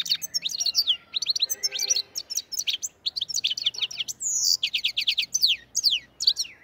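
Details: European goldfinch singing in the Andijan, Kuva and Fergana area: a busy, high twittering run of quick chirps and slurred notes, broken by a brief buzzy burst midway, continuing in rapid bright phrases.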